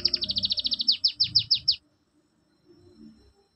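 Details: Canary mesteran, played to prompt quiet birds to respond: a quick trill of sharp downward-sweeping high notes that slows into five louder separate strokes, then near silence with a faint low murmur.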